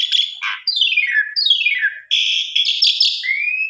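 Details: Lure recording of an Asian pied starling meant to coax other birds into singing: a buzzy opening, two long slurred descending whistles, then dense grating chatter ending in a rising whistle.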